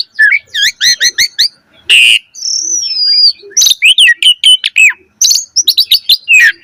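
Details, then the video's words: Energetic Javan pied starling song used to train young starlings: a quick series of repeated double chirps, a harsh rasping note, a long level whistle, then mixed slurred whistles and sharp chips. "Pancingan Jalak Suren Gacor Mompa Masteran Burung Jalak Muda Cepat Bunyi Gacor Full Isian Mewah"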